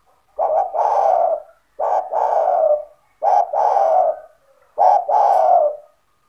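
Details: Spotted dove owned as a strongly calling bird, played to attract other doves to join in: four husky two-part coos, a brief note then a drawn-out purring coo, repeated about every one and a half seconds.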